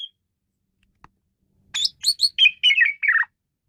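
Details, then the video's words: Asian pied starling, described as singing wildly: a burst of about nine harsh, chattering and whistled notes over a second and a half, descending in pitch toward the end, after near silence. "jalak suren menggila"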